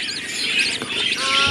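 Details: Budgerigar chicks in a nest box in the lower cage of a home colony aviary, some newly hatched, call loudly in a dense, unbroken stream of high, thin chirps and rasping twitters; other chattering birds, including lovebirds and sun conures, are close around.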